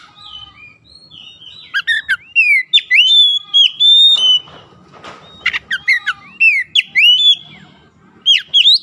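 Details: Oriental magpie-robin singing at full strength. Soft opening whistles swell into loud, varied phrases of slurred whistles and sharp chips in steady bursts. A rasping noise passes midway, and a low hum sits beneath.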